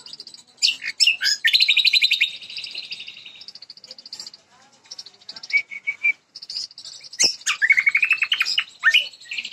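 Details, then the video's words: West Nusa Tenggara Jambu bird that won first place sings fast buzzy trills and rapid repeated high notes, with abrupt sharp chips and a steady shrill tone running underneath. "JAMBU KACOI KARII GACOR PULL"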